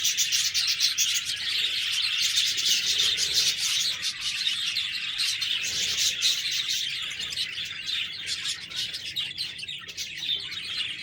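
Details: Budgerigars chirping and chattering: a dense, continuous wall of high, scratchy twitters and warbles from several birds at once, overlapping without pause, with a faint low hum underneath.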